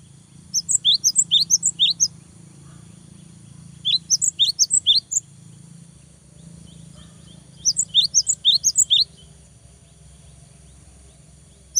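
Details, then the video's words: Cinereous tit in vigorous song to provoke opponents and young birds: three phrases of rapid, high, slurred chirps, each about a second and a half, spaced roughly four seconds apart, with a steady low background rumble. "GELATIK BATU GACOR BIKIN LAWAN EMOSI !!! LANGSUNG NYAUT !!"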